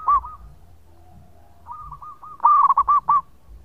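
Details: Local zebra dove in lively long song for use as a lure: a single coo, a soft drawn-out cooing series, then a loud phrase of rolling trilled notes ending in distinct rounded coos.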